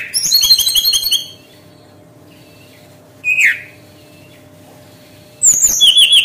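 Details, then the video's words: Brown-chested jungle flycatcher song for luring birds to sing quickly: a buzzy trilled phrase, a long pause, one loud downslurred whistle, then another quick trill of repeated high notes. "PANCING DENGAN SUARA SRDC INI AGAR BURUNG CEPAT NGEROL - sikatan rimba dada coklat"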